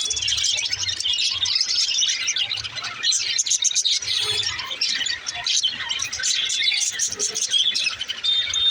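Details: Pet budgerigars chattering: a dense, continuous mix of fast warbles, chirps and squawky notes with occasional thin whistles, several birds overlapping throughout.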